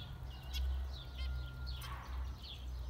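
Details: Brief burst of zebra finch sound: one clipped nasal beep and light high chirps, over a constant low background drone.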